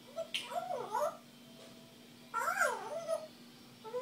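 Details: Pet female African grey parrot, one and a half years old, vocalizing to herself in a small room: two clear, wavering whistled phrases that swoop up and down, separated by a quiet pause.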